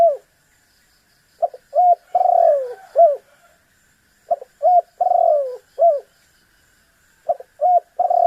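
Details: Spotted dove cooing to push a rival into answering. Three repeated phrases about every three seconds: quick short coos, a drawn-out purring coo falling in pitch, then a single short coo. Clean, with no background noise.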